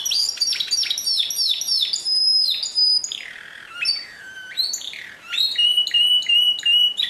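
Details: Canary singing pure song, 2016, delivering fast descending chirp series, a sustained clear whistle, then swooping buzzy notes and rolling high trills in quick succession.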